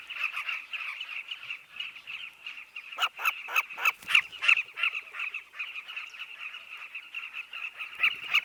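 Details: Southern carmine bee-eaters calling at their nest colony: a steady background chatter of burry chirps, broken by a run of loud, sharp calls from close birds roughly every third of a second in the middle.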